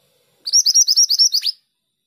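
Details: Female pied bushchat singing actively: a rapid, high, even series of about ten sharp chirped notes lasting roughly a second, the last note dropping lower, with no other sounds.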